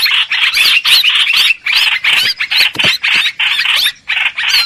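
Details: Streak-eared bulbul sounds used as a trapping lure: loud, harsh chattering bursts with upswept notes, in phrases about half a second long separated by brief gaps.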